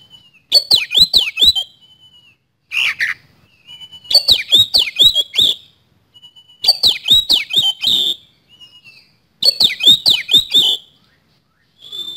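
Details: Oriental magpie-robin in rapid 'nembak speed roll' song, used as a lure recording: four rattling bursts of five or six snapping, swooping whistles, each burst followed by a drawn-out thin whistle, repeated roughly every three seconds.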